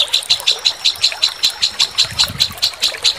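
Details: White-rumped shama training song in the sambung susun style: a rapid string of sharp, high chipping notes, about two or three per second, steady in pitch, with faint low rumbling noise beneath.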